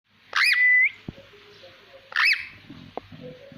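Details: Rose-ringed parakeet whistling in varied voices: two loud, clear, looping whistles, each sweeping up and down then holding a steady tone, about two seconds apart, with quiet human murmuring and small clicks between.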